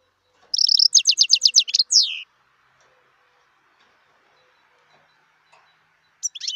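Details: Wild European goldfinch, 2018 recording: a rapid series of bright, liquid, repeated twittering notes ending in a descending buzzy slur, then silence before another twittered phrase begins.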